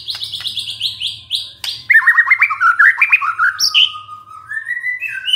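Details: White-rumped shama singing after a lure recording: a quick high series of descending notes, then a fast run of rising slurred whistles ending in a long steady whistle.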